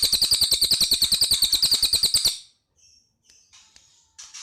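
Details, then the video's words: Cililin singing actively: a fast series of loud, clipped high chirps, roughly eight per second for two seconds, followed by quiet, scattered faint high notes. "Suara Burung Cililin Gacor"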